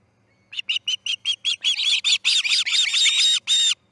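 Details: Osprey calling at the Charlo nest early on 10 August 2018 as chick C6 fledges: a quickening series of whistled chirps that swells into louder, longer, harsher squeals.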